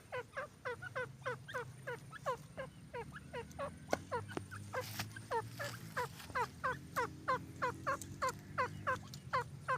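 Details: Purebred partridge giving a rapid string of short upswept notes, about three each second, fairly even in loudness, with a faint low hum and brief hiss in the background.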